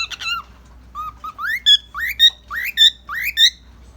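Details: A male Cockatiel (Nymphicus hollandicus) gives bright, rising whistled notes, repeated in short phrases about every half second.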